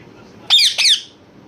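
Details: Two loud, harsh, rasping squawks in quick succession from a parrot, each about a third of a second long, with quiet background.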